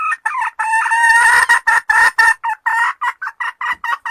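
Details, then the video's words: Powerful cackle of a red junglefowl hen: a fast, loud, insistent series of short harsh notes, repeated over and over and falling into a quicker, choppy rhythm toward the end. "Malupit na kakak ng inahing labuyo | Powerful sounds of forest hen chicken"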